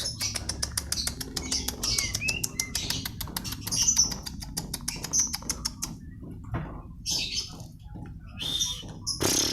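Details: White-rumped shama singing: high whistled notes and thin chirps scattered over a dense run of rapid dry clicking ticks, which give way to quieter pauses and a few brief high bursts near the end.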